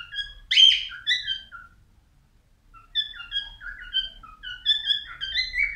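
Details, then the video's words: Male albino cockatiel whistling: a loud, sharp opening phrase fading downward, silence, then a long run of varied chirpy whistles that climb toward the end. "تغريد كالوبسيت البينو"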